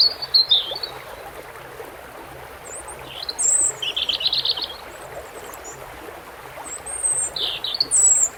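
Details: Running water under a European robin's varied song of high, thin phrases, including a rapid buzzy trill in the middle, with notes arriving in irregular bursts.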